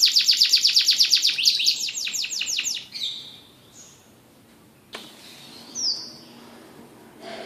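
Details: Canary giving a fast, high, evenly repeated trill for about three seconds, which then fades into faint scattered notes and a low background hiss.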